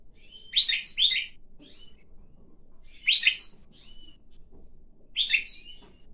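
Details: Tame pine grosbeak sings on a person's hand before flying up onto the head; rich, high warbling phrases about every two and a half seconds, separated by thin whistled notes, quiet room.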